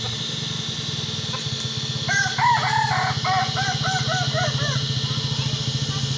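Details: Kukuak Balenggek rooster at a crowing sparring session gives a long crow: an opening harmonic note, then a run of about eight quick arched syllables descending in a stepped chain, over a droning low engine hum.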